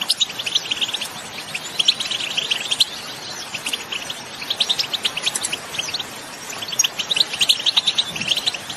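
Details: Goldfinches in the field trilling and calling to stimulate singing in others of their kind; bursts of high twittering separated by quieter spells, with a faint hiss in the background.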